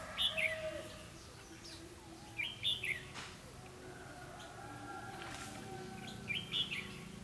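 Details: On 4 November 2016 a decoy red-whiskered bulbul sings competitively to draw wild birds into a trap. Three crisp, fluty phrases of two or three notes ring out about every two seconds over low rumbling background noise.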